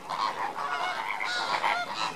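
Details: Lesser flamingos during enrichment, a flock giving dense overlapping nasal honks and gabbling calls with bright harmonic bands, continuous chatter without pauses.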